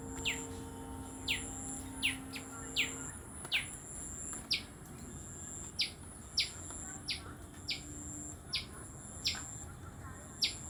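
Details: Tailorbird chirping: loud, crisp, downward-slurred chips repeated roughly every three-quarters of a second, slightly uneven in timing, with a faint steady electrical-like hum and low background noise.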